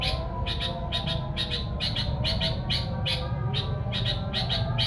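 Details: Quick paired and tripled chirps from a sooty-headed bulbul, played to attract wild bulbuls, repeated steadily over heavy low-pitched rumbling noise.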